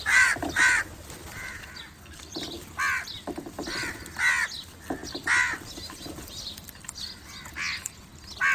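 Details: Crow calling other crows with harsh, repeated caws, roughly a dozen in eight seconds, some in quick pairs, with faint background chirps.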